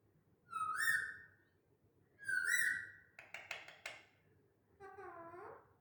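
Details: A talking parrot kept as a family pet indoors: two long, steady whistled notes with a rising-falling end, then a quick stuttered run of sharp syllables, and a final falling, drawn-out note.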